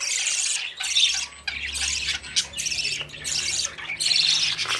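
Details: Budgerigar chicks, ready to leave the nest, chasing their parents for food; dense harsh, buzzy chatter in rapid overlapping bursts with brief gaps, several birds calling at once, a low steady hum underneath.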